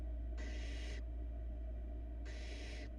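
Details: On a Florida nest camera, the youngest barn owl chick gulps down a large rat; two long, noisy hissing screeches about two seconds apart, each near 0.6 seconds, above a continuous low hum.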